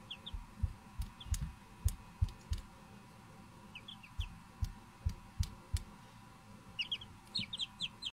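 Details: Silkie chicks peeping with short, high, falling notes in small bursts, more crowded near the end, while dull low thumps and taps sound repeatedly nearby.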